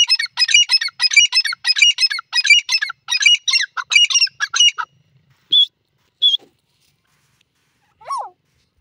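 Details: Grey francolin (desi teetar) calling: a fast run of harsh, squeaky, ringing notes packed together for about five seconds, then two short separate squeaks and a final descending note after a pause.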